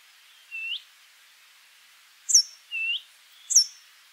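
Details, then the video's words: Brambling song in short bursts: a lower rising whistled note, then a bright, high downward-sweeping note, answered by another rising whistle and a second high sweep. "Canto do Tentilhão-montês"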